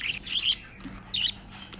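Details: Six budgerigar chicks being hand-fed baby formula give harsh, high, raspy begging squawks in two bursts, with a faint low hum behind.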